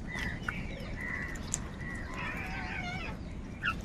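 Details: Crows fighting for food: a series of drawn-out, harsh caws, several overlapping, with a busier burst of calls near the middle and a short sharp note at the end, over steady low background rumble.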